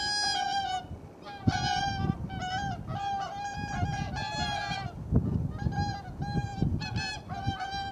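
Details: Whooper swan pair exchanging calls, possibly a greeting, recorded 13 January 2021: strong brassy honks in clustered bursts, some paired and overlapping, separated by short pauses, with low-pitched background rumble.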